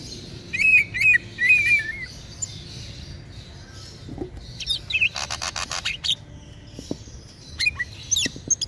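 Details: A local East Java green leafbird, said to sing day and night, sings quick bursts of bright slurred chirps and warbles, then a short buzzy rattle and a few sharp high notes between pauses.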